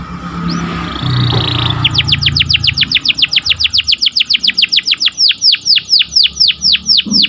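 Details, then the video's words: Canary singing in the morning, melodious and lively: after a noisy start, a fast, even trill of sharply falling notes repeated several times a second, switching midway to a higher, quicker trill. "Suaranya Merdu Dan Lincah Nyanyian Burung Kenari Dipagi Hari"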